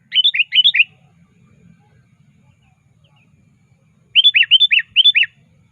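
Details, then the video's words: Lively sooty-headed bulbul calling a rival, a recording meant as a trapping lure. Fast runs of bubbly, rippling chirps, three then six notes, separated by about three seconds of quiet. "Suara Burung Kutilang Gacor Aktif Memanggil Lawan"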